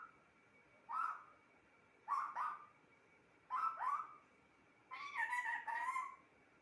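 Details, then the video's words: Pet parrot talking indoors, three short two-part harmonic utterances about a second apart. A longer wavering, speech-like phrase follows at the end. "Talking parrot"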